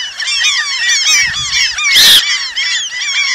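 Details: Dense chorus of Eurasian coots from the Asian population, many short arched nasal notes overlapping, one loud harsh burst in the middle.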